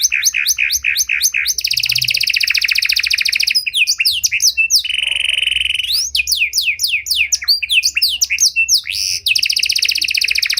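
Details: Panda canary singing an elaborate cengkok mewah song, used as a lure to prompt and train other canaries: rapid high trills and repeated downslurred notes, with a long buzzy rolling tour in the middle, then quick sweeping phrases again.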